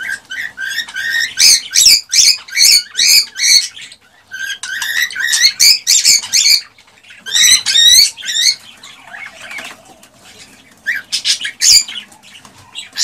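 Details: A male cockatiel's excited song, meant to encourage the female to mate and breed, runs as fast strings of shrill chattering whistles and squawks, pausing briefly between bursts.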